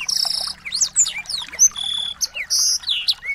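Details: Small birds singing, used as a training track for a white-rumped shama; high buzzy trills, thin sustained whistles and quick slurred chirps overlap, with a rolling rattle at the start.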